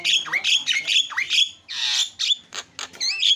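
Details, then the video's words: Starling used as a lure to get other birds calling: loud, harsh downslurred squawks in quick succession, a broad rasping burst, then thinner upswept whistles. "JALAK GACOR SUARA SUPER KRREENN"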